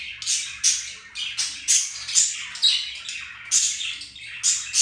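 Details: Pair of pet budgies mating and flirting, giving short rasping squawks about once a second, each a harsh burst with a faint whistle in it.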